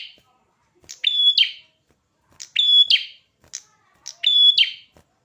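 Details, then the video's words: Prinia in lively song, three bright phrases about every one and a half seconds, each opening with a buzzy burst before a pure high whistle, plus scattered short chips in between; no other sounds. "Burung perjak kepala merah gacor"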